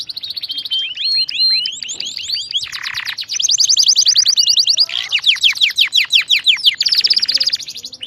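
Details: Canary singing continuously as a training song for other canaries: sweeping downslurred whistles, a brief low buzzy phrase, then rapid pulsed trills and rolling tours at high pitch.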